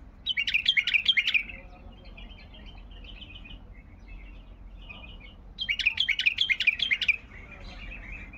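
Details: Baghdadi bulbul delivering long phrases: a rapid burst of bright, chirpy warbled notes, a softer twittering stretch, then another loud chattering burst after a pause, over a low constant background hum.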